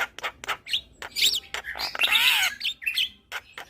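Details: Javan myna in captivity, sound meant as therapy for stressed mynas gone quiet; rapid mix of harsh raspy notes and short whistles, with a loud buzzy squawk in the middle.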